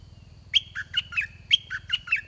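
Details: Red-whiskered bulbul song during decoy trapping, with a caged decoy luring wild birds. Two loud, bright phrases about one second apart, each of four sharp whistled notes that step up and down, over a faint low hum.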